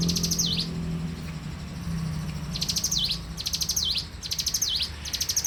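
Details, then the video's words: Morning song of a bar-winged prinia in full voice. Bursts of fast, thin, high chips end in a swooping down-and-up note. A phrase comes at the start, then after a pause four come in close succession, with a low drone beneath. "suara alam cigun gacor dipagi hari"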